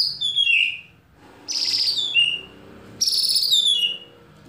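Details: White-rumped shama in competition training, song with imitated fill-in notes favoured by judges: three loud clear whistled phrases, each sliding down from high to lower pitch with buzzy overtones, separated by short pauses.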